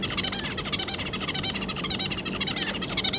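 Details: Zebra finch family of two adults and three juveniles, 25 July 2022: continuous busy chatter of quick, buzzy, nasal notes pulsing several times a second with no pauses.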